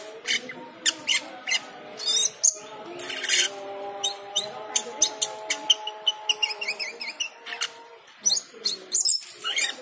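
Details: Cucak keling in full, varied song triggered by the call to prayer: a long run of rapid, piercing chips, rattles and wavering whistles, overlaid on the drawn-out, tonal chanting of the call to prayer.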